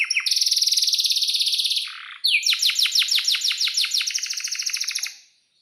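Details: Canary singing energetically with a long rolling song: a high buzzy trill held for nearly two seconds, a brief pause, then a run of sharp downward-sweeping chirps repeated several times a second, clean with no background noise.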